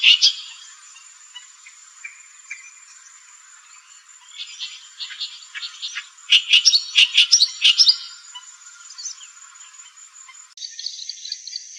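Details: Loud, far-carrying song of a clamorous reed warbler, with scattered scratchy notes and then a dense burst of sharp chattering kereet-like syllables mid-clip, ending in a high, thin, buzzy phrase over a steady background hiss.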